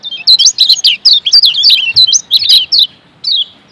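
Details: A Lombok Yellow White-eye (kecial kuning) sings a fast, high twittering run of sweet chirps for nearly three seconds, pauses briefly, then adds one short falling phrase.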